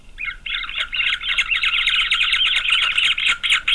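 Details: Nestling green wood hoopoes in Pretoria, South Africa, on 9 November 2023, begging in a continuous rapid cackling chorus of harsh, squeaky notes, many per second, swelling after a brief opening pause.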